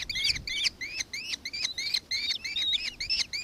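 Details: Nankeen kestrel in Victoria, Australia, recorded 4 December 2024: a rapid run of about ten sharp, ringing, slightly rising chattering notes, each harmonically layered and spaced roughly a third of a second apart, with a quiet background.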